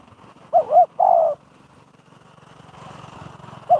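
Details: A spotted dove decoy for trapping gives one clear phrase, a wavering double coo then a sustained coo, before a next phrase begins. The cooing sits over a rumbling, noisy outdoor background.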